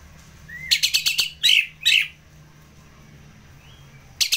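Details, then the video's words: Orange-headed thrush (Geokichla citrina) singing a rapid burst of sharp, high chirps, then two richer slurred notes, and a brief final flourish after a pause. "ANIS MERAH Ngeplong"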